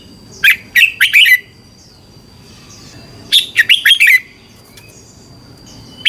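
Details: Thai red-whiskered bulbul singing, a recording meant to train caged birds or make them lively: bright chirping phrases of several rapid whistled notes, two main bursts with a thin continuous high tone behind them.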